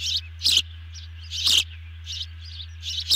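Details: Osprey chirps at a camera-watched nest during an evening feeding on 18 June 2020, a large meal brought to two birds; high, piercing chirps roughly once a second with quieter chips between, low electrical hum beneath.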